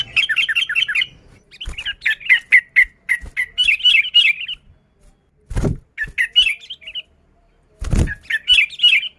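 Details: Sooty-headed bulbul in vigorous song, an unmixed recording used to lure bulbuls: fast trilling chirp runs in bursts separated by silences, interrupted by two loud thumps.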